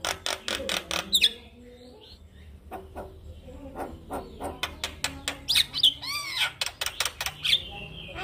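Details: Male Javan myna singing, a song for other mynas to copy: rapid harsh clicks and rattling notes, interspersed with high whistled squeaks and a rising-falling arched whistle, busy and irregular throughout.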